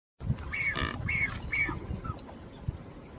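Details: Blue-footed booby (Sula nebouxii), call.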